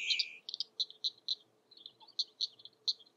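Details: Spring morning in Florida's Mallory Swamp, a King rail keeps up its kek call near spatterdock; a loud burst opens, then crisp, short notes follow at quick, slightly irregular intervals, roughly four per second, over quiet background.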